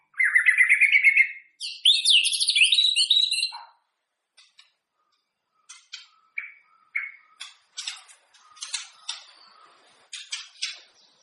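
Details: White-rumped shama singing, used to warm up other shamas' voices before a singing contest: two loud rich warbled phrases with rapid trills, then scattered sharp clicks and short chattered notes.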